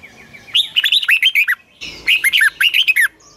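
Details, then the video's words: Red-whiskered bulbul singing a long, twisting double-voiced phrase for morning training: two rapid runs of bright, bouncing whistled notes, about a second each. "Luyện chào mào hót sáng 2020, Giọng kép xoắn dài Quá hay"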